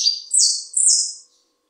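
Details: A caged saffron finch (Sicalis flaveola) in Buenos Aires province, with chicks in its cage, gives a brief song phrase of three high, hissy, buzzy notes, each a little higher than the last, over about a second.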